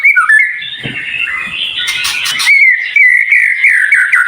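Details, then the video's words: White-rumped shama tutor song, high-pitched and sharp: a sustained wavering whistled trill, briefly broken by a harsh buzzy burst midway, then a steady rippling whistle. "Masteran Murai Batu cepat Buka Paruh"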